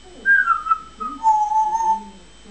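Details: Pet African grey parrot indoors, excited when its owner leaves the room for the bathroom, gives loud clear whistles: a falling slurred note, then a long steady level tone, with faint lower murmurs behind.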